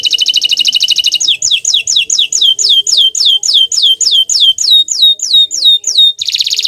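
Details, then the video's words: Green canary song: a fast rattling trill, then a long series of clear, downward-sliding whistled notes about three per second, ending in a buzzy trill. "Suara Merdu Burung Kenari Hijau Botol"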